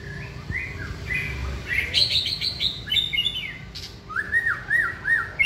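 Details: White-rumped shama hung up for singing practice. Short whistled upslurs open the phrase, followed by high chattering trills and then a series of quick repeated rising-falling whistles.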